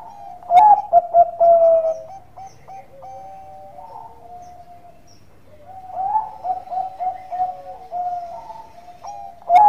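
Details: Bangkok-type zebra dove lure song with a full cooing phrase at the start, quieter drawn-out coos and stepped notes in the middle, another run of short coos later, and a fresh phrase beginning at the end.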